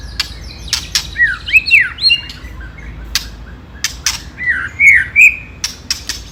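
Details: Rival-provoking white-rumped shama song in the ketrekan style: arching whistled slurs separated by sharp dry clicks, repeated in uneven bursts over a soft low hum.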